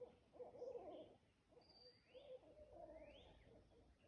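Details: Barred owl (Strix varia) gives low, hooting, wavering calls near 500 Hz, broken and uneven, with faint higher squeaks and chirps overhead; bats were flying and a mosquito present.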